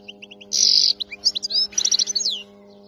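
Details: Wild-caught European goldfinch from area 86, its song described as free of errors: a burst of bright, rapid twittering notes with a dense buzzy passage, then liquid chirps and slurred whistles, over a steady low electrical hum.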